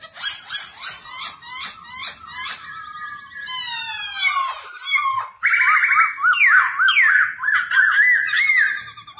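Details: A black-throated laughingthrush sings while displaying ("dancing"), used to train wild-caught birds to sing: a loud, varied song of quick repeated whistled notes, then rapid descending trills and rising chattery phrases, with no other sounds.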